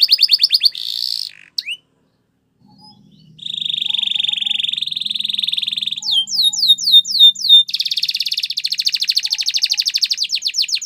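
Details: Canary performing Timbrado-style training song: an opening trill, a brief pause with faint low hum, a long buzzing roll, a few sharp falling notes, then a dense rattling trill.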